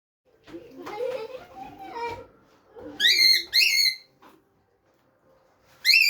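A cockatiel gives loud, shrill, arched chirps after a stretch of low, speech-like murmuring.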